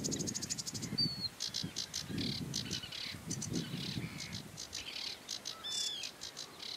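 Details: A sedge warbler (Acrocephalus schoenobaenus) sings a fast, scratchy, chattering song of rattles, buzzy trills and a few clear whistled notes, over a low rumble of wind.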